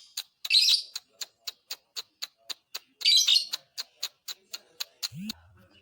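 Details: Lovebird song meant to provoke other lovebirds: evenly repeated sharp clicks, about three per second, interrupted by two loud raspy chattering bursts, ending with a low rising sound.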